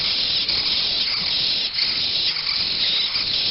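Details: Chimney swift nestlings from a nest taken to a rescue center produce a dense, unrelenting buzzy rasp, like steady steam-like hissing with a brief dip midway.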